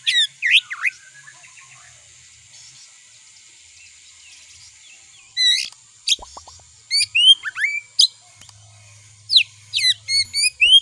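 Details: Oriental magpie-robin (kacer) song played to provoke kacer; opening whistles, a long quiet stretch of faint chatter, then loud sharp chirps and whistled slurs repeated quickly toward the end, with a soft low rumble.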